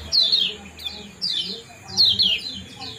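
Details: Kecial kuning calling 'ciak jos' to bring birds into breeding condition: three loud bursts of high, steeply falling chirps spaced under a second apart, with a soft low murmur between them.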